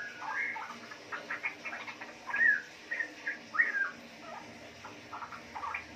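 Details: Captive four-month-old female straw-headed bulbul, DNA-sexed, bred from wild-caught parents, in Yogyakarta, giving short, scattered whistled and warbled mid-pitched notes in loose bursts with brief pauses.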